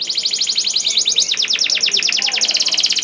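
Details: Domestic canary singing, used to prompt other canaries into song: rapid buzzy trills of repeated notes, quickening and dropping in pitch midway, continuous throughout.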